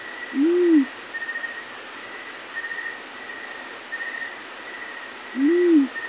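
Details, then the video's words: A yellow-breasted fruit dove in the morning gives two deep, rounded hoots, each rising then dropping, roughly five seconds apart. Faint rapid high chirping series and a steady electronic-like tone fill the background. "yellow breasted fruit dove morning call"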